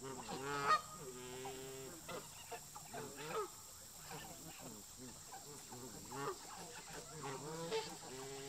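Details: Local park geese confronting migrating visitors, flock tension and a fight: dense overlapping nasal honks with stacked harmonics, rapid bursts from several birds calling over one another throughout, steady background hum.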